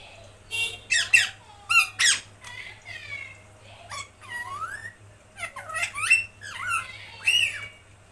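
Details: Talking pet parrot mimicking speech: clear, voice-like phrases of harmonic syllables, some sliding upward, others clipped and sharp, delivered in quick bursts with short pauses between, over a faint low hum.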